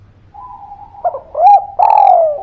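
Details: Spotted dove calling as a lure to get quiet birds singing: soft, faint hummed coos, then a short mellow coo and a louder, drawn-out coo that slowly falls in pitch, over a low steady background hum.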